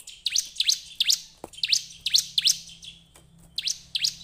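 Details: Bar-winged prinia song as a lure to get other birds singing: loud, high, hooked chirps repeated roughly every third of a second, with a short gap midway.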